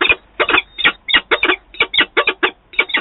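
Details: Adult peregrine falcon pair meeting, Wałbrzych, Poland, 11 September 2022; hoarse, clipped calls delivered in pairs and triplets, about four groups per second, harsh and buzzy in tone.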